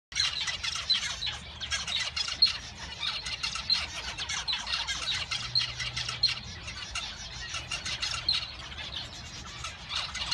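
Male zebra finches fill the air with dense, nasal chattering and buzzy, squeaky song phrases.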